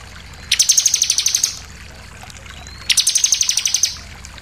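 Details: Bar-winged prinia song for provoking other birds to sing: two one-second trills of rapid, evenly spaced high notes, separated by a pause of about a second and a half.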